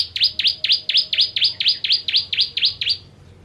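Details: Bar-winged prinia, the Indonesian ciblek, gives a steady train of twelve sharp, high chirps at a brisk even pace, each a swift downward-and-up sweep, fading out at the end; for tutoring contest songbirds.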